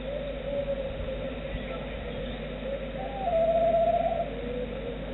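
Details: A roosting tawny owl answers its distant mate's call with a soft, quavering, chirring warble lasting about a second, after a shorter faint note, over a steady low background hiss.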